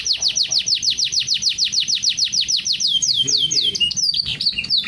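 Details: Canary in full 'luxurious song': a rapid series of high, descending chirps, each repeated evenly, then slower drawn-out swooping notes and a varied, tumbling closing phrase, with faint low background murmur.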